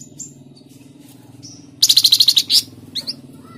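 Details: Tledekan Jati song of a Flamboyan bird, played to prompt cage birds: thin whistles and chips lead into a loud, fast trill of roughly eight high, buzzy notes, then a few scattered high chirps.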